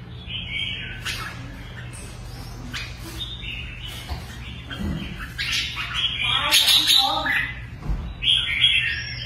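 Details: Kept red-whiskered bulbul in busy, excited song: sharp chirps and squeaky warbles build to loud, high, rapid phrases near the end, with some clicks and knocks and a low hum in the background.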